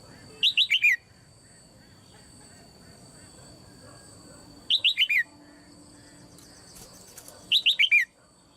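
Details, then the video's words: Female red-whiskered bulbul calling in a cage, used to stimulate other birds to sing: three bursts of four quick, clear, descending whistled notes, each phrase under a second, spaced several seconds apart over faint background hiss. "นกหัวจุก birds - เสียงนกตัวเมียร้องในกรงดีมาก กระตุ้นเสียงนกร้องแรง"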